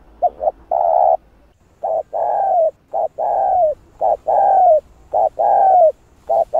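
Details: Spotted dove call and coo used as a lure for wild doves, in calling, urging and cooing styles; rapid repeated phrases of short clipped notes and long hollow coos, several cycles in quick succession.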